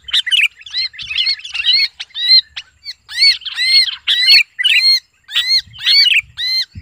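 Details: Sooty-headed bulbul (kutilang) crying out like a captured bird, for luring. Strident arched squawks, nearly two per second, alternating with denser scratchy chatter; background otherwise clean.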